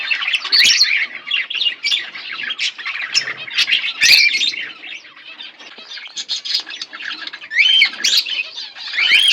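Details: Pair of budgerigars chattering: buzzy, grating notes and short looping whistles, with a soft lull midway and brighter whistled phrases near the end.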